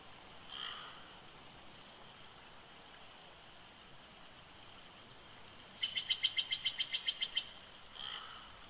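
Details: Bald eagle pair at the nest on a winter day, 22 February 2020, Big Bear Lake, California: a faint series of about ten quick, evenly spaced high piping notes, with soft single calls before and after, under a steady background hiss.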